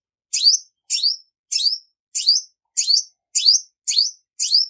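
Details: Clean recording of a female olive-backed sunbird: eight bright, high chirps, each sweeping down and then up, evenly spaced about 0.6 seconds apart with nothing else audible.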